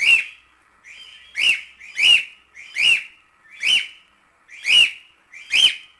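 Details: Several cockatiels singing, for teaching a pet cockatiel to sing: a clear, slurred whistle that rises then drops, repeated seven times in about six seconds with uneven spacing and a raspy overtone.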